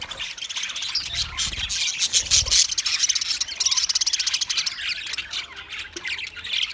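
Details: An English budgie chirps and chatters in a rapid, scratchy, high-pitched stream.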